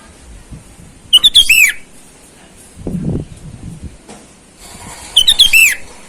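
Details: Sooty-headed bulbul lure call used to attract wild birds, calling rivals in the wild: two loud bursts of quick whistled notes ending in a falling slur, separated by low rustling noise.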